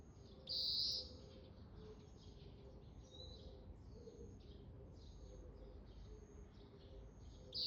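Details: A calling Oriental greenfinch: a strong, drawn-out high buzz opens the sequence, then quieter twittering and buzzy notes follow in an irregular run, ending with another loud buzz. Low background hum throughout.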